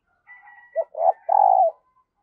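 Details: Decoy spotted dove cooing to lure new wild doves: a soft lead-in murmur, then a short note, a rising note and a long, loud, steady buzzing coo.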